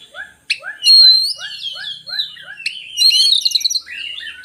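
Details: Oriental magpie-robin song meant to spur lazy birds into singing: a steady row of soft, low slurred notes repeated about twice a second under loud whistles, ending in a fast, trilling, high chatter.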